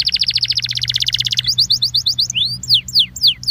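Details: Rapid rolling trill from a Belgian canary used to warm up canaries, switching to quick repeated chirps and then spaced, sweeping whistled notes.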